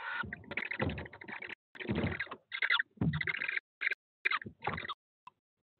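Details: Tawny owl chicks, 18 days old, in a nest box at De Mortel, fight over prey at 23:03 on 18 April before the mother returns: harsh, rasping hisses and squeals in uneven bursts, with scuffling and short pauses.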